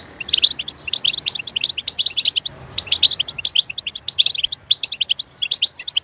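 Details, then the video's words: European goldfinch singing, used to stimulate other goldfinches to sing: fast bursts of bright, tinkling twittered notes in quick succession, a short pause near the middle, then more rapid chirpy phrases with occasional sharp high notes. "Stimulating a goldfinch clip to make it chirp in a loud and wonderful voice"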